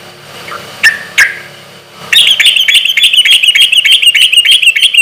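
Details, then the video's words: Sooty-headed bulbul in lively, loud song with a relaxed rhythm, used as a lure so other bulbuls answer. Two sharp notes open, then a fast, steady string of bright chirps, about three per second, continues to the end. "trucukan gacor suara keras irama santai sampai teler mantab buat pancingan trucuk agar cepat nyaut"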